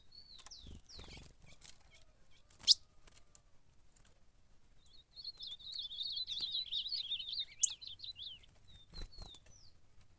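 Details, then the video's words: Campeada fight of an ultramarine grosbeak: a few downslurred whistles and clicks, a pause, then a long rapid warble of twisting notes, ending with scattered short whistles. "Azulão na Campeada brigando"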